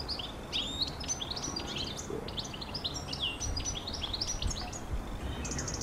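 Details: European goldfinch song: a rapid, continuous stream of bright twittering notes and short chirps, many quick rising and falling elements tumbling together without pause, over a steady low background hiss.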